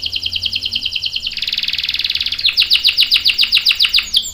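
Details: Canary in full voice, sung to prompt other canaries: a pulsed high trill shifts into a thick buzzy roll, then into loud, clipped, descending notes repeated quickly.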